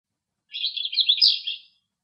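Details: Eastern black-eared wheatear, a male, sings in Greek countryside, delivering one short, dense, chattering phrase of mixed high scratchy notes lasting just over a second, louder toward its end, with a quiet background.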